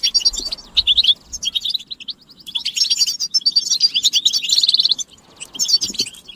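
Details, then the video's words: Mating and readiness calls of European goldfinches in chorus, used to excite a silent male; thin high twitters, a quiet stretch, then a dense buzzy run of tinkling notes. "بتبتة الحسون تحفيز الحسون على التغريد والهيجان علاج صمت الحسون goldfinch stimulation"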